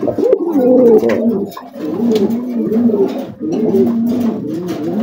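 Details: A farm pigeon coos steadily in low, throaty, rolling phrases, each swelling and falling over about a second and a half, in a small echoing room.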